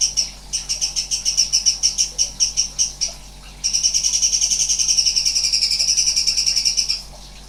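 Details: Sooty-headed bulbul (cucak cungkok) singing in rapid-fire 'nembak' style with strange sounds: high, harmonically rich pulsed notes about four per second for three seconds, a brief pause, then a faster, denser trill running to the end.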